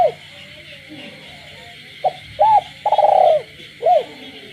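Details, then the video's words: At night, a kept spotted dove gives its cooing phrase in a rural village setting: a brief note, an arched coo, a long buzzy trilled coo, then another arched coo, over a constant chorus of frogs. "cu gáy trong đêm, cu nuôi avi gáy ban đêm hòa cùng tiếng ếch nhái đậm chất làng quê"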